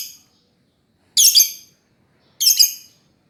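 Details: Lovebird chirps: two strident, scratchy calls about 1.2 seconds apart, each with two quick peaks, after a fading earlier note.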